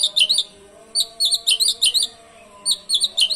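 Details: Asian pied starling singing canary-like material as a lure: clusters of quick high twittering chirps in groups of three to five, with short quiet gaps between.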